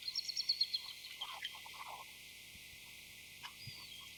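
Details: A Bald eagle (Haliaeetus leucocephalus) pair communicating: a quick burst of high, thin chittering notes, then a few softer, lower sounds over a steady high hiss.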